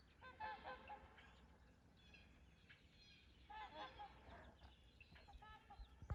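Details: Trumpeter swans taking off at Rifle Lake on April 28, 2020, give nasal, horn-like honks in scattered bursts, loudest early on and again around the middle. A steady low rumble of wind or water runs underneath.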